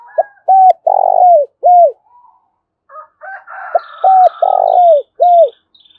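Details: Spotted dove lure call in the 'thổ đồng' voice, used to provoke rival doves into calling: mellow coo phrases of short notes and a long slurred coo, given twice; a faint higher chirping bird and a brief buzzy noise also heard.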